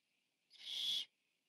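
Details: One loud, harsh hissing screech of about half a second from the biggest Barn Owl owlet, recorded on a nest camera while it ate on 14 September 2015.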